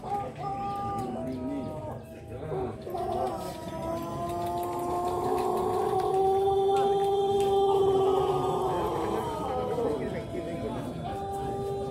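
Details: Pelung rooster at the LPN Cup final singing contest, crowing a very long, smooth, sustained note lasting around ten seconds, steady in pitch with a slight rise and fall, over crowd murmur.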